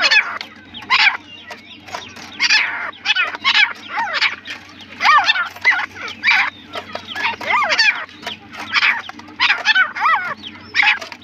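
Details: Partridge calling repeatedly: harsh, raspy bursts with rising and falling ringing notes, about one burst every half second to second, over a steady low hum.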